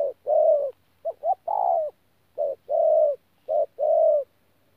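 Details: Wild-caught spotted dove recorded at Tu Mơ Rông on 14 January 2019 in 'pha gù' cooing: low, round paired coos, one phrase with two quick stuttered notes before a longer, faintly rising-then-falling coo.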